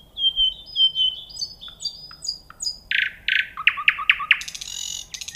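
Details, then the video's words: Nightingale song that opens with a string of thin, pure whistles rising step by step, then shifts into loud harsh buzzy notes, sharp clicks and a brief rasping trill in a quiet setting. "Nightingale Sound"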